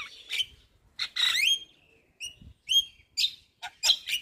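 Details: Javan myna, white-eyed form, in song played to coax reluctant birds: clear whistled notes and sharp upslurred chirps separated by short pauses, with a few squeaky flourishes.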